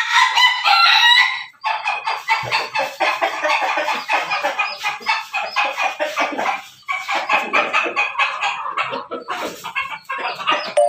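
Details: Backyard-raised Pelung–Bangkok–Ketawa cross chicken crowing; a loud clear opening note, then a long rapid rattling stutter of harsh pulses that continues for several seconds with short breaks.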